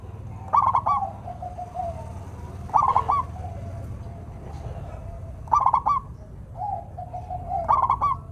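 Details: Local zebra dove in strong song, meant to get idle doves singing: four bouts of rapid rattling coos spaced two to three seconds apart, linked by soft level coos, over a steady low rumble.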